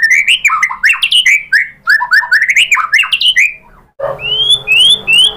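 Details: Murai batu, or white-rumped shama, pancingan song used to provoke other birds: loud varied slurred whistles in quick phrases, a short break, then high rising notes over a low background hum.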